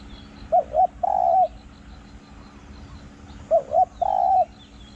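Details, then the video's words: Spotted dove calling during a decoy session, small-voiced with an echoing 'hong' coo. Two phrases about three seconds apart: each has two quick short notes, then a drawn-out smooth coo. There is faint high bird chirping behind. "ต่อนกเขาใหญ่ | เสียงเล็ก หอง คูก้อง สนั่นป่า"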